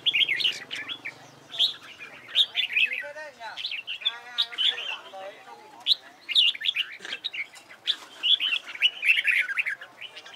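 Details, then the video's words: Red-whiskered bulbul being trained for singing contests: repeated rich, warbling whistled phrases in bursts, with a lower, harsher chattering passage in the middle. "CHÀO MÀO HÓT ĐẤU HAY"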